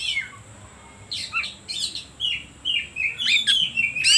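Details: Lure song of an Oriental magpie-robin, meant to rouse other birds: short jumpy phrases of high whistles, buzzy notes and quick downslurs, growing denser and louder toward the end, over a constant thin high-pitched tone.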